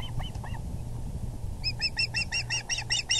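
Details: As the male osprey arrives at the nest with a big fish on April 6, 2020 at 6:30pm, a few spaced chirps give way to an urgent, rapid series of bright, ringing whistles, over a steady low hum.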